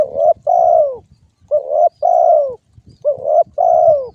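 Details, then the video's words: Spotted dove calling, known locally as derkuku: deep, mellow cooing in three phrases. Each has a short note, then a longer, slightly descending coo, repeated about every one and a half seconds in quiet surroundings. "suara burung derkuku"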